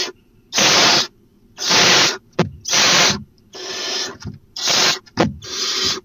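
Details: Nighttime barn owl nest, dated 4/3/12, as the first treat arrives, headless prey appearing to be an opossum. Five rasping hiss-screeches about a second apart, with short clicks and scuffling knocks between them.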